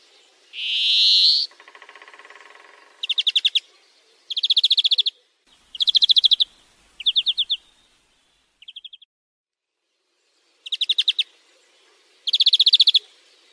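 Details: A European greenfinch sings rapid trilled bursts, each about half a second long, mixed with a harsh nasal wheeze, all high-pitched with quiet gaps between phrases, in a song-training recording.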